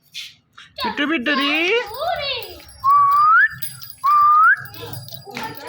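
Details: Pet ringneck parrot talking to a phone: garbled harmonic speech-like phrases, then two identical upslurred whistles about a second apart, with faint music behind.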